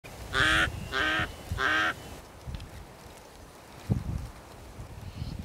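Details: A White-backed Vulture, in a group feeding on a zebra carcass, gives three harsh, nasal squawks in quick succession, then low rustling and thumping noises follow.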